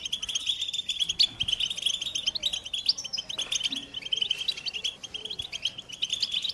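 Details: Rapid high chattering song of the American goldfinch. Quick chirps and buzzy trills tumble over each other continuously, with a few louder sharp notes standing out.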